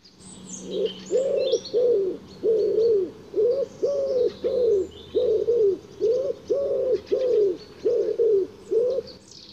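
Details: A Common Wood Pigeon, Sweden's largest and commonest dove, sings low, hoarse five-syllable cooing phrases with soft coos running steadily about one per second; faint small-bird chirps above.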